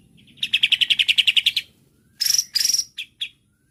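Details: White-rumped shama roused by a bait sound gives a quick rattling series of about a dozen crisp notes, then two loud harsh buzzy bursts and two short chips.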